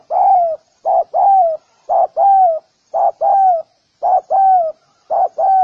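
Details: Spotted dove cooing: a short double note followed by a longer mellow coo that slides down at the end, about once per second in tight pairs, in a quiet setting.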